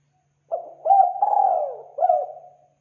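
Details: Lure call of a spotted dove: one full cooing phrase. A short opening coo and a hooked note lead into a long, drawn-out descending coo, then a final arched coo. Mellow and low-pitched, with silence around it.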